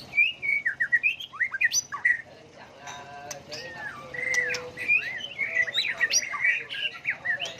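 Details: A white-rumped shama sings in many voices, switching phrases continuously to stir other birds into competitive singing. Clear whistled slurs and chirps come first, then denser warbled phrases over a low steady background hum.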